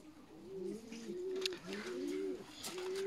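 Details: Clear, mellow, low rising-and-falling calls from juvenile peahens, young female Indian peafowl, several overlapping in quick succession with a couple of faint clicks.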